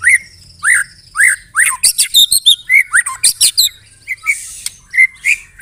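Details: White-rumped shama song filled with canary-like imitations and loud rattles: repeated down-slurred whistles about every half second, a fast series of sharp clicking notes, then more slurred whistles and a brief harsh burst.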